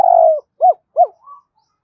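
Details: A spotted dove gives a long falling coo, then two short arched coos and a soft fading final note, all low and mellow.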